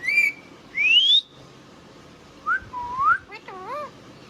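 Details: Pet Indian ringneck parrot giving clear whistles, one steadily rising, another short and upswept, followed by a brief wavering speech-like phrase.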